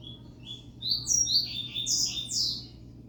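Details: Double-collared Seedeater kept as a pet, delivering a short song of high, clipped whistled notes. Several bright squeaky syllables follow one another quickly in an uneven, jumpy sequence over a quiet background hum.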